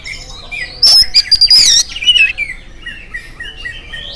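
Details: Oriental magpie-robin singing in the morning as a lure to get other birds singing: a loud burst of harsh, buzzy and whistled notes, then softer rambling warbles and short rising whistles.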